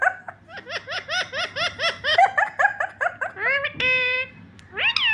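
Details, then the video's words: A parrot imitates laughter with a quick run of about fifteen rising, nasal 'ha' notes, then a held squawk and a final upswept note. "Parrot Is Laugfing"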